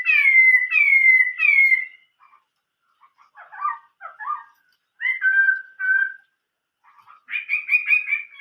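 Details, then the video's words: Chinese hwamei with an old-forest singing voice: three loud slurred whistles, then quieter chattering notes, a pair of level whistled phrases, and a closing run of rapid bright repeated notes. "chim họa mi hót giọng rừng già"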